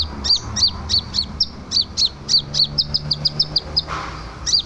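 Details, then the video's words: Scarlet minivet in full song, used as a master for training birds: a steady string of about fifteen high, sweet, slurred whistles, roughly three per second, with brief low hum behind. "Suara sepah raja merah gacor cocok untuk masteran"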